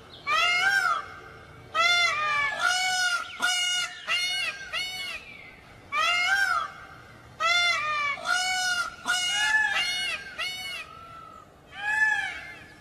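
Peafowl giving loud, brassy, nasal honks, each about half a second long, delivered in quick runs of two to four with brief pauses between bursts.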